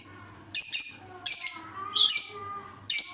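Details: Lovebird giving a strange call: harsh, high, hissy squawks in bursts of about a third of a second, four spaced bursts with quiet gaps between them.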